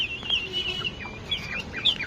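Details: Domestic chickens kept by a family on a balcony: high, thin piping calls rising and falling, several overlapping peeps in quick succession over a soft background hum.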